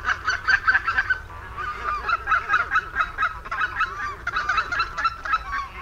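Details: Barnacle geese calling from a flock of over 200 birds seen from a window on the Warthe floodplain, Poland, on 11 March 2015: rapid, repeated short yelping barks in quick runs, many birds overlapping in a lively chorus.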